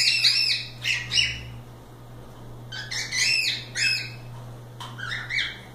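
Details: Free-flying cockatiels playing indoors, giving loud harmonic chirps with rising-falling arches, in bursts of two or three notes separated by pauses, over a steady low electrical hum.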